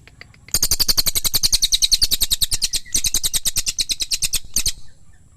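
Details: Pygmy tit (cililin) pouring out a long, fast stream of shrill, buzzy chattering notes for about four seconds, with a brief hitch midway.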